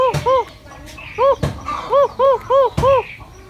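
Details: A talking bird, apparently repeating "papa", gives about six clear, voice-like arched notes in quick succession, with three sharp knocks or taps breaking in between.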